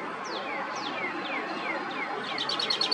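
American robin giving sharp, high shrieks that slide steeply downward, about two per second, ending in a quick burst of thin high notes over a steady hiss.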